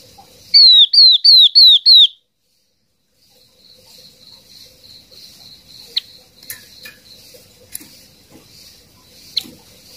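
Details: Lure call of a yellow-eyed babbler used to summon the flock: five loud, high whistled notes falling in pitch in a quick regular run, then faint ticking chips and occasional sharp clicks.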